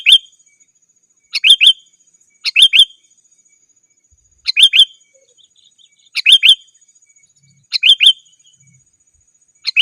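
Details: Lively sooty-headed bulbul calling to rivals, used to lure wild birds in the forest: short bright, bubbly whistled phrases of two or three notes, repeated about every one to one and a half seconds, with a faint steady high whine behind.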